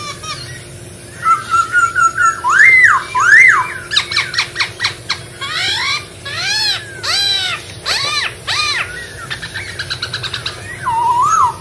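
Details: Masked laughingthrush in the wild delivering a long varied song: fluted rising whistles, rapid clicking bursts, arched swooping notes and a closing trill, over steady low background noise.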